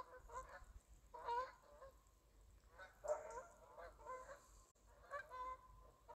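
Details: A flock of Canada geese flying by, calling with overlapping honks in loose clusters every second or so, several birds honking at once, with faint background rumble.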